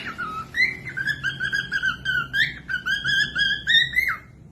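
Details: Pet cockatiel whistling a continuous tune of clear, slurred notes that dip and rise, about four notes a second, sung as a tutor for young birds or reluctant singers to copy.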